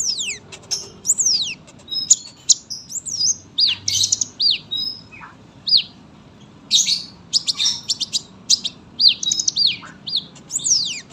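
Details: Sunbird in full, long, dense song, used for tutoring young birds: thin high squeaky chirps and sharp falling whistled notes in quick bursts, with short pauses between phrases over a faint low hum.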